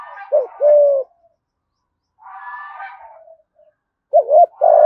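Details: Low 'thúc gù' cooing of a spotted dove, 'giọng thổ' voice, from Đồng Nai, Vietnam: a clipped double note and a held coo, a quiet rough murmur, then the phrase starting again.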